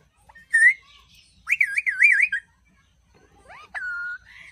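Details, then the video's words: Angry pet parrot talking: a short bright squawk, then a loud wavering warble lasting almost a second. After a pause comes a rising slur ending in a steady whistled tone. "Angry parrot talking"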